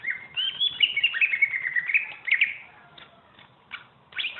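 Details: Greater green leafbird, champion songster used as a tutor for other birds, singing a quick warbling phrase of whistled, slurred notes for two seconds, followed by scattered sharp clicks and a short final chirp.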